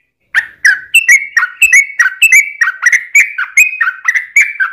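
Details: Lure song of a sooty-headed bulbul for drawing responses from other birds. After a short silence comes an unbroken series of liquid, slurred chirps alternating high and low, about three each second.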